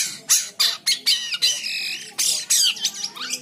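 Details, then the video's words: White-shouldered triller in lively song for tutoring other birds: a series of loud, sharp, high notes, a sustained buzzy whistle, then more harsh, scratchy bursts. "Burung Jalak Kapas / Kapasan Gacor l Untuk Masteran Durasi panjang."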